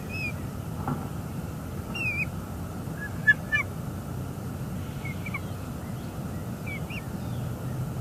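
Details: Bald eagles at their nest in Northeast Florida in the early morning of 24 December 2020, rebuilding the nest: a few thin, high, squeaky notes, some slurred upward, scattered over a steady low rumble of background noise.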